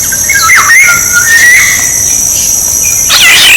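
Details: Black-naped oriole played as a decoy: a clear whistle dips and then levels out, followed by a sudden harsh burst near the end, all over a droning insect chorus.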